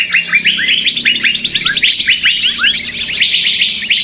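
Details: Lure recording of noisy small birds for trapping, a thick wall of rapid overlapping chirps and buzzy twitters from many birds at once, steady in loudness with no pauses.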